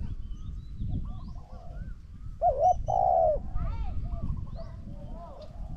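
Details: Spotted dove, decoy against a wild bird: a single resonant coo phrase, a quick double note then a long wavering coo, amid faint whistles and a constant low rumble.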